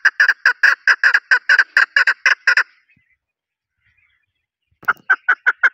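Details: Calling chukar partridge (desi chokor) in Pakistan: a quick series of about eleven loud, harsh chuck notes, a gap of silence, then five more clucks starting up again.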